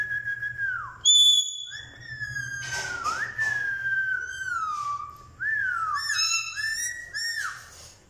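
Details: Talking parrot kept as a pet indoors, mimicking speech: a run of sliding whistled phrases, falling and rising, with sharp high chirps and stacked harmonic squeaks, loud and nearly continuous.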